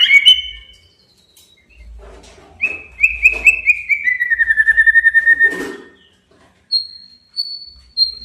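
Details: A male white-rumped shama sings to goad a rival. Loud whistled notes open the song, then a long, rapid, evenly pulsed trill slowly drops in pitch. High thin whistles follow after a pause.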